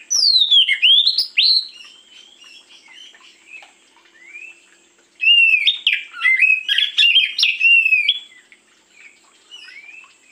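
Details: Oriental magpie-robin (kacer) morning song used as a lure: loud, varied whistled phrases with sweeping slurred notes and rapid twittering bursts in two main outbursts separated by a quieter gap with soft distant notes.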